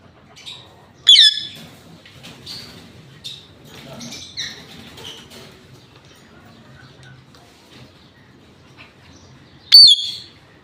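An Indian ringneck parakeet gives two sharp, shrill squawks about eight seconds apart, with softer chattering, speech-like murmurs in between, in a quiet indoor room.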